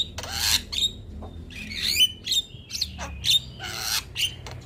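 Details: Male Black-winged starling singing gacor, a song said to get all birds going: loud harsh screechy bursts alternating with short clear whistles and sliding notes, roughly every second, over low background hum.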